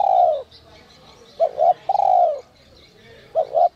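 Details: Spotted dove with a 'giọng còi' (whistle-voice) call, used to provoke wild doves. A long, falling coo comes first, then a quick pair of short notes, then another drawn-out falling coo and another short pair. Faint high chirps sound behind.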